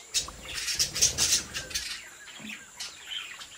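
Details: A home-bred group of Australian budgerigars chatters in dense, overlapping high twitters, with fluttering and scratchy notes packed into the first two seconds, then sparser chirps.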